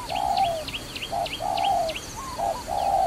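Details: Dove recorded in a trapping setting, giving low, smooth, hollow coos in rapid series, some notes drawn out and others clipped, while thin descending chirps from other small birds sound steadily above.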